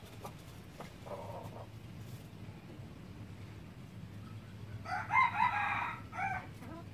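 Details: Red junglefowl in Laos: a faint, short note early on, then a strong, raspy crow near the end, a drawn-out harmonic phrase closing with a brief tail note. Steady low rumble runs underneath.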